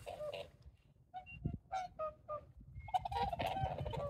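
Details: Whooper swans near sunrise in winter (26 February 2023) at Kotan Onsen, Lake Kussharo, Hokkaido, Japan: several clear, bugling honks about half a second apart, then an overlapping chorus, over a low rumble of wind.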